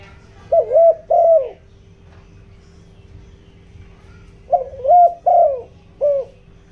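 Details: ["Spotted dove decoy bird with a 'giọng đồng' voice, cooing urgently to excite wild doves. Two short bouts of low, mellow coos, each a short note followed by a longer falling one, with a long quiet gap between bouts."]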